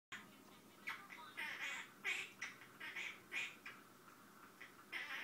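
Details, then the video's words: Male Quaker parrot making up a song, a string of chattering, speech-like squawky syllables with short pauses, over a steady background hiss. "Quaker parrot makes up song"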